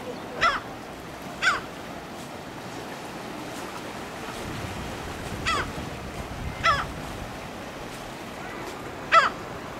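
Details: A Lava Gull in the Galápagos, Ecuador, in May, gives five short, harsh cries at uneven intervals of one to three seconds, over a steady roar of surf.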